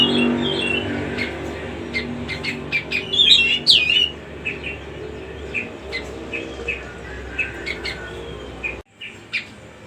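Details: Cucak rumbai singing in short, scattered chirps and whistled notes, with one brief rising warble early on. A steady low background hum continues throughout.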